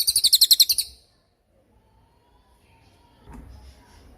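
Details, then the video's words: Cililin tutor recording for songbirds: a brief, fast series of about eight shrill high chirps in under a second, followed by near silence and faint low noise. "MASTERAN CILILIN || TAJAM DURASI PANJANG"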